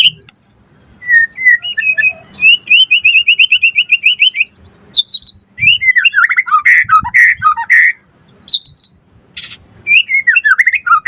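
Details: White-rumped shama singing a training song to spur other shamas: a long even trill of repeated notes, then varied squeaky, buzzy and whistled phrases with rapid chatter.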